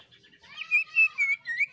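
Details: Greater green leafbird singing its shrieking full song, intended to get other birds singing. Four smooth, warbling whistles of similar pitch, each lasting a fraction of a second, delivered in steady sequence.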